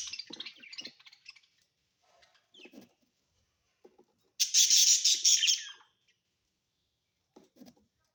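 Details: Pet budgies at home: soft scratchy chirps, then one loud, harsh, buzzy burst of chatter lasting about a second and a half, followed by faint ticks.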